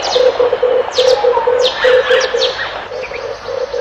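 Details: A Red turtle dove makes quick low pulsing notes in short bursts against a chorus of sharp high chirps and sweeping whistles from other birds.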